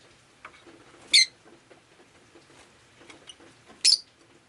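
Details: Rosy-faced lovebird on a rainy day, giving two loud, harsh, high chirps about three seconds apart over a soft background of faint patter and quieter chatter.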